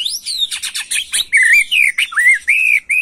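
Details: White-rumped shama in an emotional macul-style song aimed at young birds: a rising whistle, a quick rattle of harsh notes, then a string of clear, slightly wavering whistles.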